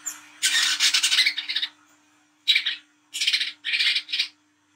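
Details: Olive-backed sunbird singing at night, used as a lure: long harsh buzzy chattering phrases in several bursts separated by short pauses, with a faint steady low hum.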